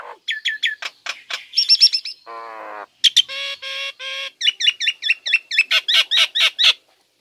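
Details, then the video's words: Caged female Nias hill myna singing vigorously: loud clear whistles, sharp clicks and ringing harmonic notes in a rapid, varied series, including a short nasal buzzy section and a run of rising whistled notes near the end. "Jalak Nias Gacor Betina"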